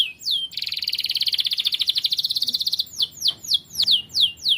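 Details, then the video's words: Canary song recorded as a training model: a sliding whistle, a long fast buzzy trill, then repeated loud descending whistled notes roughly two per second. "KENARI GACOR. MASTERAN BURUNG TERBAIK"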